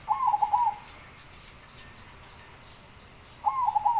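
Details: Two rolling, trilled coo phrases from a zebra dove open and close the recording, separated by about three seconds of hiss with faint high chirping.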